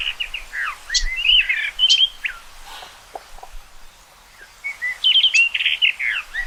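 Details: Common rock thrush song in two loud phrases of fast, varied whistled and slurred notes, broken by a quiet gap with a few soft low sounds.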